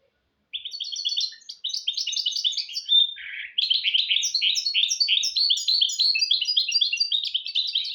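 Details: Goldfinch × canary hybrid (mule) singing a tutor song meant to teach goldfinches and canaries. After half a second of silence comes a continuous rapid twittering of high chirps and trills, with a brief lower buzzy note near the middle.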